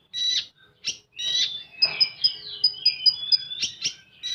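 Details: Common iora delivering 'full tembakan' song: several rough chattering bursts, then a long descending slurred whistle overlaid with a string of sharp high pips, ending in further buzzy notes.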